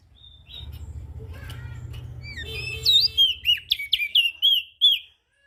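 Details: Ashy prinia, call used as a lure for small birds: steady low background noise at first, then a lively string of sharp descending chirps, about three to four per second, ending abruptly.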